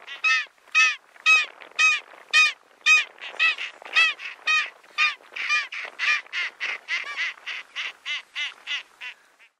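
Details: South polar skua on Penguin Island, Antarctica, in February 2022, giving a long series of harsh, nasal, harmonic calls. They repeat about twice per second and grow gradually fainter and quicker toward the end, with no other clear sounds.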